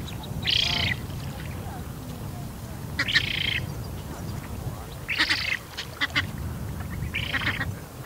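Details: Juvenile Eurasian spoonbill at Bislicher Insel, 12 September 2021, mid-afternoon, begging for food; four wheezy, grating calls spaced a couple of seconds apart against a low, continuous background hum, captured on a Canon EOS R5.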